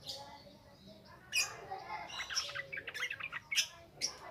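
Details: A yellow-vented bulbul sings ngropel ngalas style as a lure for newly caught birds: a quiet start, then a string of quick sharp chirps and bubbly notes.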